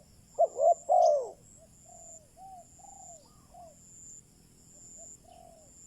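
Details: Spotted dove used as a decoy to lure wild doves: a loud burst of three low hooting coos opens, followed by a run of softer, evenly spaced low coos, with a faint steady high whine in the background.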